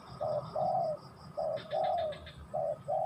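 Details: Close spotted dove song: paired coos, a clipped short note then a longer smooth falling coo, repeated in quick succession, with light twittering in the background.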